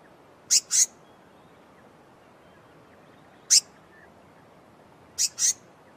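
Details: Blue-mantled crested flycatcher calling: short, harsh, high-pitched rasping notes, mostly in doubled pairs, with a pair, a single note and another pair spread across six seconds over a quiet, faintly hissing background.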